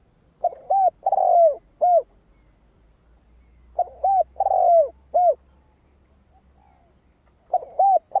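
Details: Lure song of a spotted dove for calling in wild birds: three deep phrases, each a quavering coo, a long falling coo and a short closing coo, spaced by calm pauses.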